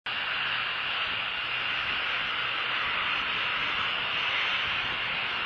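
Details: Steady broadband engine-like drone with a faint low hum throughout, and no animal calls.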